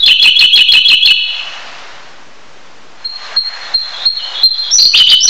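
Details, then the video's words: Siberian blue robin singing: a bright, rapid trill, a lull of steady hiss, then thin high ticks building into another quick rattling trill. "藍歌鴝/Siberian Bule Robin"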